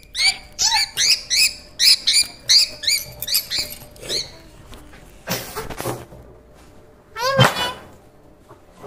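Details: Pet parrot at home playing with a baby, giving a quick run of bright, harmonic squawks repeated about three per second, then fading into scattered rustles and a couple of louder screechy notes near the end.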